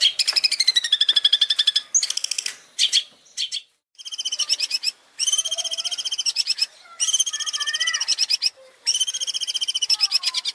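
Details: Master song of a champion long-tailed shrike, recorded for training competition birds: long runs of fast, harsh, pulsing chatter broken by brief gaps, with faint lower slurred whistles underneath some phrases.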